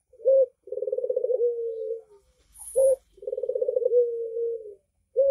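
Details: A red-eyed white Barbary dove gives a short low coo, then a long rolling, purring coo settling into a drawn-out tone, repeated twice, with a brief faint high tone in between.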